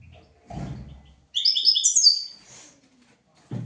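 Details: European goldfinch song from a recording for teaching goldfinches and canaries: a single bright burst of rapid twittering and tinkling high notes lasting about a second, with low thumps before and after.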